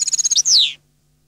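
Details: Song fragment from a European goldfinch: a quick run of evenly pulsed high notes, then a loud buzzy note that slides steeply downward before the bird falls silent.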